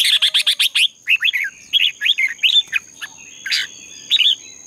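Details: Competitive Red-whiskered bulbul song for dawn training of caged birds: a fast run of six sharp repeated notes, then looping warbled phrases rising and falling, with a constant high tone in the background.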